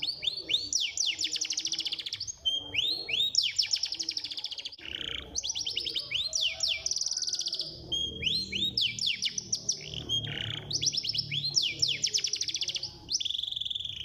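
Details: Songbird chorus used to lure caged birds into singing: rapid bursts of high, downward-sweeping whistled notes and fast trills, repeated in dense overlapping phrases nearly without pause, over a faint low hum.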